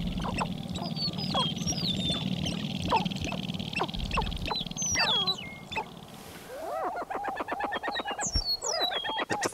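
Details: Sharp-tailed Grouse displaying at an April lek at sunrise in Carlton County, northern Minnesota, males dancing with females watching, give clipped clucks, rapid tapping pulses, then hollow cooing chilk-like notes; thin songbird whistles and low rumble behind.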